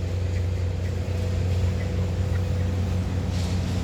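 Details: A constant low engine drone with humming tones, like a nearby motor vehicle or boat, runs throughout with no distinct animal calls.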